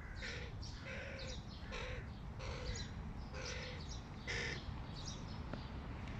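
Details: Fledgling hooded crows calling: a steady run of harsh, nasal caws, about six in six seconds, each drawn out and evenly spaced, over a constant low rumble of background noise.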